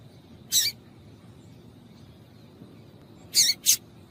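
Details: Female papa-capim call used to get males singing: one harsh, buzzy chip, a long pause, then a quick double chip near the end, over a steady faint high whine and low background noise.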